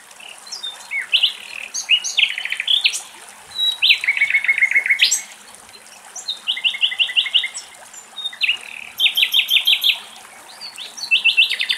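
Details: Nightingale in Greece delivering separate song phrases: bursts of rapidly repeated full notes, a chattering trill and short whistled introductions, separated by brief pauses, with faint steady background rush.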